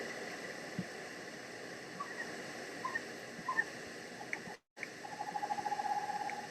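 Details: Two Western Screech-Owls in the San Gabriel Mountains call in response to playback: a few soft scattered notes, then a quick run of short, hollow, evenly pitched toots near the end, over a steady background hiss.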